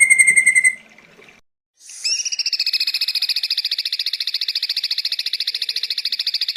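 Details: Ashy drongo in a long-duration recording made for tutoring songbirds: a clear steady whistle, a short pause, then a long rapid buzzy trill of pulsed notes, about three or four per second, held at an even pitch.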